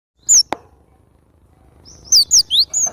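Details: Javan grey-throated white-eye in full lively song: a high whistled note, a sharp click, then after a pause four quick high slurred whistles, some rising and some falling.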